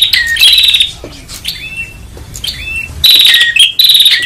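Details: Prinia calling noisily for luring: loud buzzy trills with downslurred whistles at the start, a quieter run of rising whistled notes in the middle, then harsh trilled bursts again at the end.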